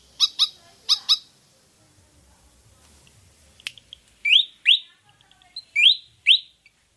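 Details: Pied fantail song used as a lure to draw other birds into singing: paired sharp, high whistled notes, then clear upward-sweeping whistles given in pairs, with a lone click between them.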